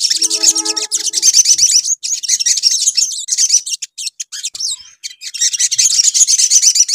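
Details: Crimson sunbird recording used to lure birds: continuous high, fast twittering chatter with sharp repeated notes, opening over a few lower, steadier tones, then broken by short gaps before resuming.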